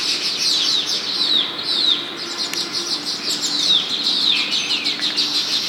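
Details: Baya weaver birds chirping in front of a house in Hyderabad; a dense, continuous chorus of high chirps and short downslurred notes from several birds at once, with wing flutter and no other clear sounds.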